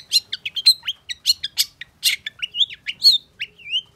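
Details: Excited long-tailed shrike quickly answering a rival with varied song; quick chatter of sharp chirps, rasping bursts and slurred whistled notes, some rising, ending on a soft downward whistle.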